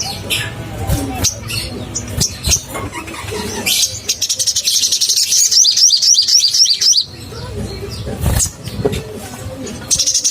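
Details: Crimson sunbird in full song, meant to provoke caged birds: a fast, high, twittering trill of rapid upswept notes for about three seconds, framed by scattered chirps and low noisy background.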